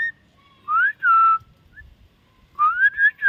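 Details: Talking bird, the common myna, producing pure whistles: a rising slur into a steady level note, a brief pause, then a run of rising and wavering whistled phrases near the end.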